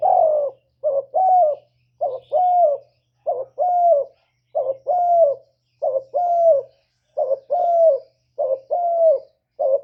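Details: Spotted dove cooing to lure wild doves: rhythmic, continuous series of about ten phrases, each a brief coo followed by a longer, slightly falling mellow coo, close and clear with a faint low hum.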